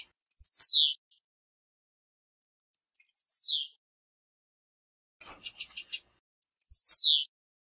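Blue-black grassquit gives three high, buzzy, downslurred song phrases about every three seconds; a short burst of sharp clicks sounds between the last two.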